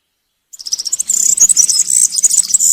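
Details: Woodland European serin delivering its country-style song for training young birds: after half a second of quiet, a dense, high, sizzling rattle of fast tinkling notes runs unbroken.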